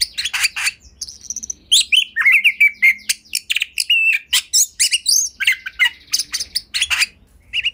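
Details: Oriental magpie-robin kept at home, singing in ngobra display to provoke other magpie-robins into full song: a long, varied outpouring of rapid sharp chips, a wavering whistle, scratchy notes and clipped whistled phrases, almost without pause.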